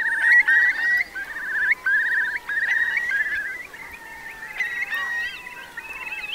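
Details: ['Eurasian curlews crowded into Marquenterre wet meadows, Bay of Somme, France, at a high-coefficient high tide in October 2021. Several birds give overlapping bubbling, rippling trills, with long drawn whistles running beneath.']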